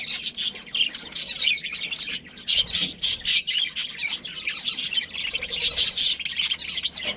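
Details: Breeding budgerigars chatter in a colony, giving rhythmic bursts of sharp, high chirps several times per second, with a faint low thud partway through.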